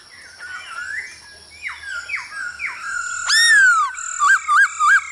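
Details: Caged-training recording of a male hwamei singing to female calls: soft rising and falling slurred notes, then a loud swooping whistle that falls away, followed by three short hooked notes.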